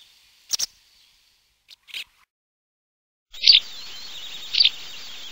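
A White wagtail gives sharp, high chirps, single and paired, a second or so apart, over a steady background hiss in the second half.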